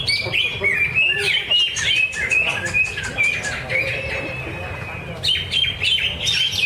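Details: Greater green leafbird at a bird singing contest training event, Danau Bumi Restu, Cikunir. It pours out rapid, irregular bursts of high whistled and chipping notes, about three per second, with faint voices and low rumble behind.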